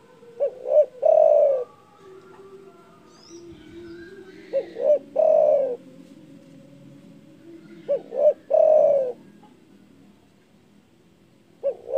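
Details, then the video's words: Loud-voiced spotted dove calling energetically to stir up rivals. Three full phrases about every four seconds, each with two quick hollow notes and then a long sliding coo. A fourth phrase begins at the very end. "DERKUKU GACOR DOR SUARA BESAR MEMBUAT EMOSI LAWAN"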